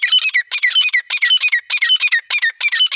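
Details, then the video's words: Partridge call for attracting birds while hunting: loud, harsh, grating phrases of several rapid squawking notes each, repeated steadily about twice per second, with no other sounds. "Acha Teetar Viral Voice"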